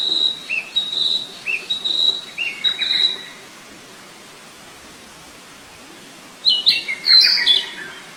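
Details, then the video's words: High whistled couplets from a wild flycatcher, a level note then a lower drooping one, repeated for a few seconds over background hiss, then silence and a closing burst of louder tumbling notes. "Burung sikatan di alam liar"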